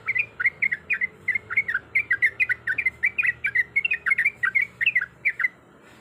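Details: Yellow-vented bulbul, a female in breeding condition calling a male, giving a fast chattering series of fluty, down-slurred notes for five seconds, then stopping; faint hum beneath.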